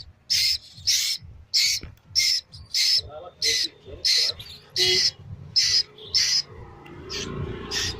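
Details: Young Asian koel giving a rapid series of rasping, hiss-like bursts, roughly one every 0.6 seconds, about twelve in sequence, with low hum beneath and a rustling, noisy patch near the end.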